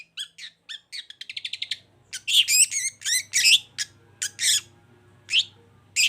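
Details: Long-tailed shrike, a caged songbird in Indonesia, opening with an accelerating run of clipped chattering notes, then loud, harsh, buzzy phrases and scattered rasping notes after a short gap.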